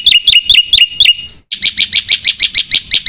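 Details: Lively, full black-winged myna song rich in mimicked phrases. A run of sharp down-slurred chirps breaks off abruptly, followed by a fast series of dense buzzy high notes repeated about every fifth of a second.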